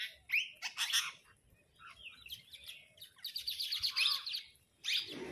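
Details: A flock of parrots chattering among themselves and squabbling over food: harsh, screechy bursts and rapid pulsed chatter, loud, then dropping to quiet gaps, with a final rasping screech.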